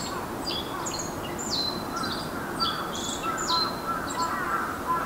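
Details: Black-faced bunting singing: short high, slightly buzzy phrases, each sliding down then holding, repeated about once a second over a steady hiss of background noise.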